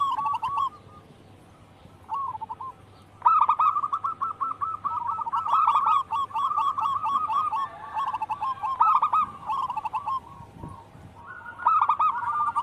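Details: Zebra dove of local wild stock, singing actively as a lure and tutor sound: long, bubbling chains of rapid coo notes, some phrases overlapping, broken by short quiet spells.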